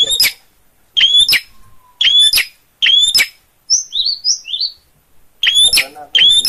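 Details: Gacor long-tailed shrike, Gunungkidul, Yogyakarta: paired harsh chak notes with sharp whistled peaks, broken midway by a short run of soft sliding whistles, then the harsh pairs return.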